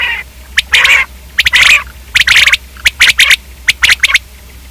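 Common quail giving harsh, rasping bursts, then quicker clipped notes grouped in threes, each about a fifth of a second, over a low steady hum.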